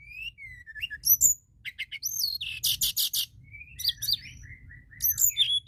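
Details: Lively white-browed shortwing song meant to provoke other birds to sing, mixing slurred whistles that fall and rise, crisp high chips and a dense buzzy rattle in the middle, with brief pauses between phrases.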